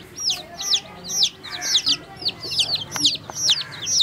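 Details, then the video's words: Chicks drinking water give rapid, piercing downslurred peeps, several overlapping, about two per second, bright and high-pitched with faint background rustle. "See How Baby Chicks Drinking Water"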